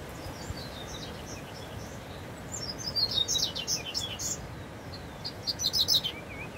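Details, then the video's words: Double-collared seedeater of fiber type singing in the wild scrub: high twittering phrases with sliding whistles, in two bursts, over constant rustling background noise. "Coleiro fibra no mato"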